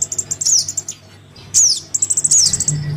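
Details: Crimson sunbird nestling begging call used as a lure: a run of fast, thin, very high chips, a brief gap, then a sharp descending squeak and another high chattering burst, with a low hum underneath.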